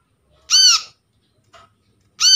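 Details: Brown-throated sunbird call from a captured bird, used as a lure to attract birds and stir quiet ones into calling: two loud, harsh, ringing arched notes about one and a half seconds apart, with a faint click between.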